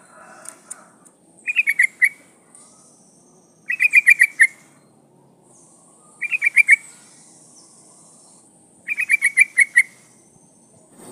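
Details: Female sooty-headed bulbul in breeding condition calling to a male: four bubbly, chattering phrases spaced about two and a half seconds apart, over a continuous high-pitched hiss.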